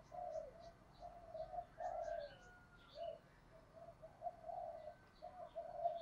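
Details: Spotted dove cooing in the voice style called 'giọng thổ pha đồng', a steady run of low, soft coo notes with short gaps, and faint high chirps from small birds above.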